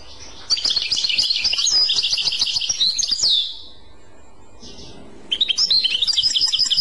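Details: European goldfinch singing in the clochette song style: fast, bright, tinkling twitters and trills packed high in pitch, a long burst of about three seconds, a pause, then a second twittering burst.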